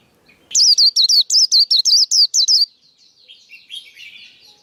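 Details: A male white-eye, recorded for training young birds and luring them into traps, delivers a steady series of about ten loud, high, down-slurred chirps, then a quieter, lower twittering tail.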